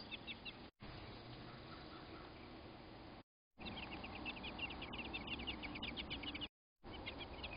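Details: American robin couple reacting to a crow raiding their nest: bursts of fast, repeated high chips, a long chattering run in the middle, separated by short silences, with soft background rumble.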